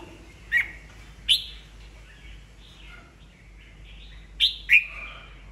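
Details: Red-whiskered bulbul, an old wild-caught bird kept for training other birds' voices and provoking competitive song. Sparse, sharp chirps in pairs, separated by a long pause, with faint slurred tones in between.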